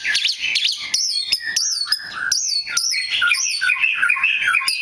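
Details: Song of a rare black magpie robin: a burst of buzzy twittering, then a series of high, upward-curling whistled notes repeated in quick succession, ending in a busy chattering warble.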